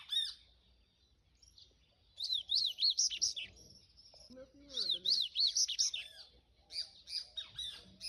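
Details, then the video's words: Double-collared seedeater delivering two 'canto do rio' phrases about two seconds apart, each a fast series of bright, looping high notes, with a short lower slurred sound and faint scattered chirps in between. "Papa-capim canto do rio"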